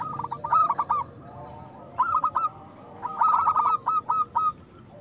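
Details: Zebra dove, a local perkutut with a big voice, cooing as a lure for birds slow to sing: three stuttering phrases of pulsed, rolling coos, the last longest with evenly spaced notes trailing off, over steady low hum.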